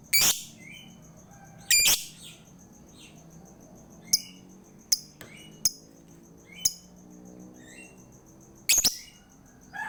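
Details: Lovebird sounds used to prompt a reluctant lovebird into song: sharp, harsh high shrieks at the start and end, with short clicking ticks and small twittering notes between them, and a constant faint high whine.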